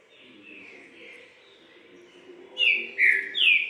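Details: A captive green-winged saltator (Saltator similis) gives its prized three-note song: three loud, rich whistled notes, each dipping and swelling, about half a second apart, after softer quiet warbling.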